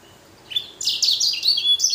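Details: Caged blackthroat x canary hybrid (blacken) in full song: after a brief quiet start, a fast run of bright, high whistled and slurred notes, some sweeping down, others clipped, tumbling together without pause.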